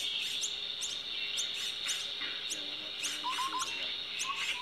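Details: Common myna at a nest with chicks: sharp, rapid chirps repeated about every third of a second, with a few soft, lower warbling notes near the end. A steady high insect-like buzz fills the background.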